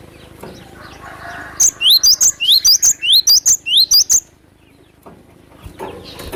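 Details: Wild glatik batu, or cinereous tit, giving a rapid series of about seven clear two-part phrases, high pip then rising whistle, in some two and a half seconds, framed by soft ambient noise.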